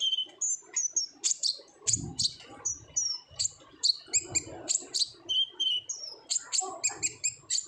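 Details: Olive-backed sunbird singing energetically in ngobra style as a lure: steady series of high, piercing chip and whistle notes roughly twice a second, with a brief low thump near the start.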